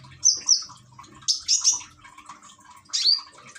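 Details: Caged common iora in Gresik, East Java, Indonesia, recorded on an Android phone with trickling water played as therapy to prompt singing; short high whistled and chirped phrases in bursts about a second apart, with a faint low hum.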